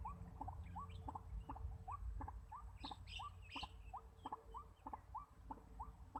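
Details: A White-breasted waterhen lure recording used to attract the birds: short, hooked, mid-pitched notes repeated about three times a second in a steady series over a low rumbling background with a few sharp clicks.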